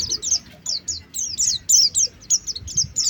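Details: Short sharp high chirps of Oriental white-eye from a bird-luring recording, delivered singly and in quick pairs, spaced irregularly over a quiet background.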